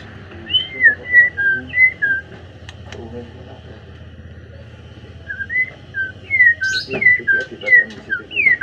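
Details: White-rumped shama in afternoon song: loud whistled phrases of slurred, falling and rising notes repeated in two bursts separated by a quiet pause, with a few sharp clicks and a low background hum.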